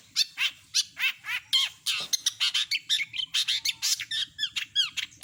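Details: Long-tailed shrike singing a full set of mimicked notes: a continuous rapid string of bright chirps and slurred whistles, roughly three or four per second, with one buzzy rasp in the middle.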